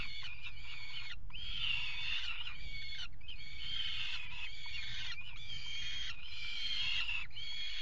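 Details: Peregrine falcon pair mating on a water-tower nest ledge in Axel, Netherlands, winter 2018: hoarse, harsh wails about one to two seconds each, repeated with short breaks, against a persistent low drone.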